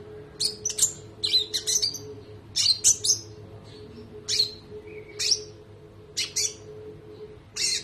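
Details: Training recording of a spotted konin singing with sharp shot-like notes: separate groups of high, piercing chirps spaced by short silences, with a continuous low hum beneath.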